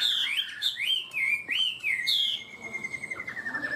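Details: Chinese hwamei, a caged songbird, delivering high 'cao cầu' style song: a run of bright whistled notes arching up and down, ending in a long steady whistle followed by a quick rapid trill.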